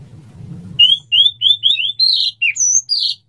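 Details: White-rumped shama male singing to court a female before mating, a quick series of clear whistled notes, some slurred downward, about three per second after a low rumble at the start.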